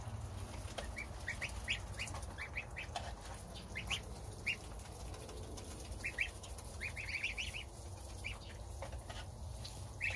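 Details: Domestic goose family at feeding time, goslings eating starter feed with mother, father on guard outside; scattered high cheeping notes, sometimes doubled or tripled, over a low continuous rumble.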